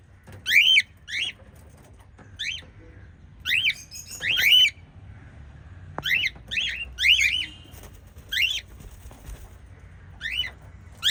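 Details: Five lovebirds chirping: short, harsh, squeaky notes sweeping up and down, given singly or in quick pairs and triplets at irregular intervals, with faint low hum in the background.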